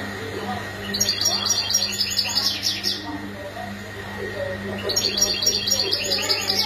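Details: European goldfinch calls played as a lure to get males singing: a lively twittering burst, a quieter pause, then a second run of fast, jingling notes, with a persistent low hum and muffled voices underneath.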